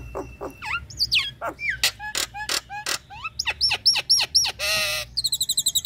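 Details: Female Nias hill myna in breeding condition calling the male: a rapid mix of sharp whistles, clicks and hooked notes, ending in a burst of quick high chips.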